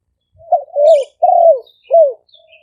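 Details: Spotted dove used as a ground decoy to attract wild birds, recorded live in Roi Et province, Thailand, with noise removed. A soft lead-in, then three rich, falling coos. Brief high chirps from another bird sound in the background.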